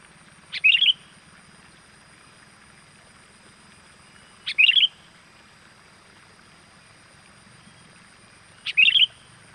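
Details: Sooty-headed bulbul call used as a lure to draw wild birds in: short, bright, bubbly chirped phrases, each opened by a sharp click, repeated three times roughly every four seconds over a faint low hum.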